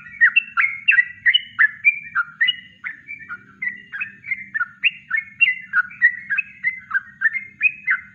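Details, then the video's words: Natural Yellow-vented bulbul song for training birds to copy, a lively stream of short liquid whistles and slurred notes, roughly three to four per second, evenly paced, over a faint low hum. "Masteran Trucuk Kongslet Alami"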